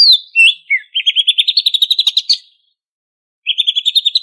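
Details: Banyuwangi-origin greater green leafbird in lively ngentrok song packed with varied phrases: a few descending whistles open into a long, rapid, rising rattle of chirps, a pause, then another fast chirping trill; clean, quiet background.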